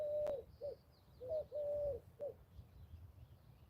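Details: A ringneck dove heard near a weedy fishing water by a bridge gives low, hollow coos in a short phrase of brief notes around one long drawn-out note. Faint high chirps from another bird sound in the background.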